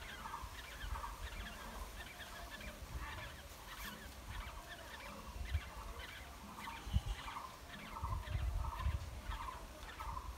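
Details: Black-hooded oriole chicks in the nest being fed by wild parents: rhythmic series of short, harsh, buzzy notes, repeating roughly every half second, over heavy low rumbling background noise.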